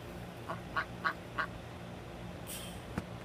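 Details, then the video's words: A single duck gives four nasal quacks in quick succession, about one every third of a second, over a low background hum with a brief hiss near the end. "One Duck Quacking"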